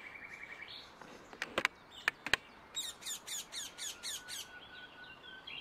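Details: Rose-ringed parakeet in nature, giving a series of harsh, scratchy squawks about four a second after a few sharp clicks, over steady background hiss with thin whistles from other birds.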